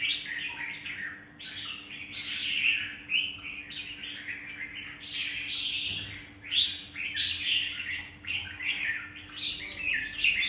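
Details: Wild-caught adult red-whiskered bulbul from Vietnam, kept caged, singing almost nonstop. Its bright, bubbling, chirpy notes run together in dense, rising and falling chatter over a constant low hum.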